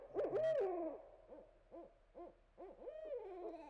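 A Barred Owl gives a loud, slurred hoot that drops at the end, followed by a string of shorter, rising-and-falling hooting notes.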